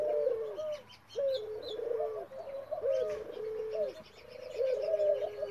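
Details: An F1 hybrid male from a male ringneck dove and a female European turtle dove gives low, rolling coos in short bursts about every second and a half, with faint high chirps from other small birds behind.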